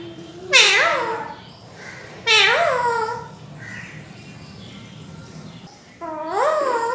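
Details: Indian talking green parrot kept indoors, copying a cat: three drawn-out, wavering meow-like calls with rich harmonics, each rising then falling, spaced by quiet stretches with faint room noise.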